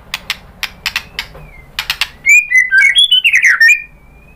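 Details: White-rumped shama (murai batu) song used as a lure to provoke other birds to sing: a run of sharp clicking notes, then fast varied whistled phrases sliding between high and mid pitch.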